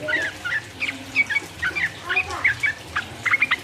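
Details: Sooty-headed bulbul song of the 'uplik uplik' rolling type, meant to provoke rivals: spaced, liquid whistled phrases with small clusters of quick notes, ending in a tight burst of three or four bright chirps.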